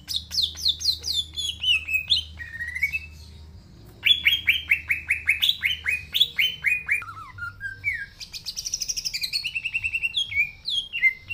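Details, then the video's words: Green leafbird delivering a long, rich song mixing descending whistled series, sweeping slurs, fast chattering trills and high rapid note strings, with a brief quiet gap near the start. "Cucak Ijo Gacor Suara Asli"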